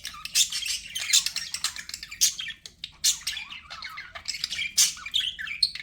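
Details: Chattering pet budgerigars give loud, sharp squeaks and raspy chirps in rapid bursts, separated by brief gaps, all high-pitched and harsh.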